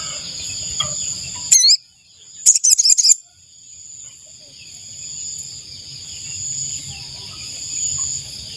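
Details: Ashy tailorbird call meant to lure wild birds: one sharp rising note, a short pause, then a brisk cluster of high chirps. A continuous high-pitched insect buzz fills the background.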